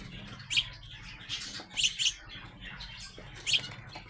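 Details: House sparrow young, still growing, give brief piercing chirps at irregular intervals, some in pairs, with faint twitter and a low continuous hum behind.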